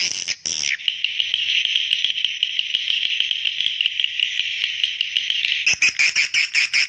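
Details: Swiftlet call for summoning young: a brief chatter, then a long, sustained, high buzzing trill lasting about five seconds, and finally rapid clipped chirps.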